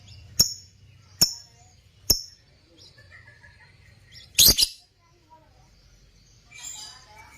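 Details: Three quick, sharp high chirps from Parblue African lovebirds kept for breeding, then a louder double burst of harsh chattering and softer scratchy twittering at the end.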